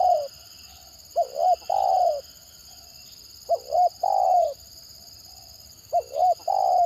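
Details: Spotted dove singing the stuttering 'gagap' style used to lure other birds: three phrases roughly two and a half seconds apart, each a pair of short, bouncy notes and a drawn-out, falling coo.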